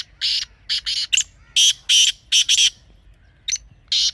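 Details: Partridge, black or desi type, calling in rapid rasping bursts: about a dozen harsh, scratchy notes grouped in pairs and threes over four seconds, with short pauses between groups.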